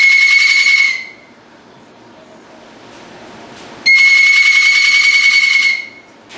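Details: A loud, steady electronic buzzer tone sounds for about a second, stops, then sounds again for nearly two seconds, with faint room noise in between.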